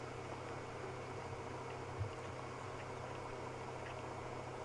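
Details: Low steady engine hum and faint hiss during a sunset safari drive, with one brief soft knock and no animal calls.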